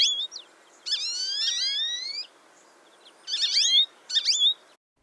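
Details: American Goldfinch, a winter backyard bird of eastern North America, twittering and warbling: bright, high bursts of quick sliding notes, with warbled phrases spaced a second or two apart.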